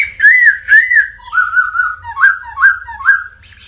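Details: Singing black laughingthrush: two arched whistles, then a flat whistled note and three repeated upswept whistles, loud and clear.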